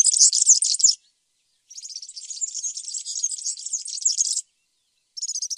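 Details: Song of a European serin: bursts of very high, rapid, glassy jingling notes, three runs separated by short silences.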